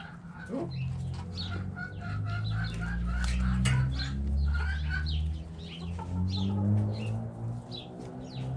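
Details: Backyard hens clucking while dust bathing in the dirt, a busy run of short, soft clucks and scratchy rustles over a steady low hum.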